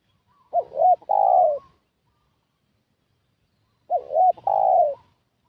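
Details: Spotted dove luring call for attracting wild doves, the same two-part coo phrase given twice about three seconds apart, each a quick wavering note then a sustained, slowly falling one; otherwise silent.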